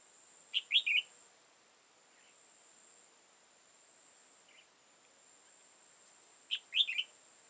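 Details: Red-whiskered bulbul, old wild bird with high crest and dark bib, trapped on 15 October 2018: two rapid chirpy three-note phrases six seconds apart, faint soft notes between, steady high whine throughout.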